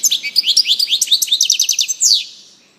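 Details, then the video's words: European goldfinch producing a brisk series of high, downward-slurred chirps in steady rapid succession. The phrase ends with one longer sweeping note and then fades. "singing canary chardonneret song saka kuşu sesi"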